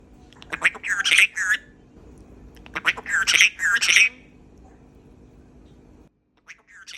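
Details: Pet Cape Parrot talking outside in its aviary: two bursts of hoarse, squawky speech-like phrases, each about a second long, separated by a quiet pause, with a brief scratchy call at the end.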